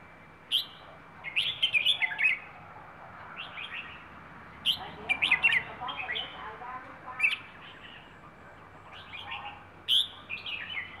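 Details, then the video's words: Rayong wild-origin bird giving a plai ho song. Several short, sharp phrases of chirps and slurred whistles are spread across the stretch, with faint background noise between them. "นกป่าระยอง เพลงปลายโห่"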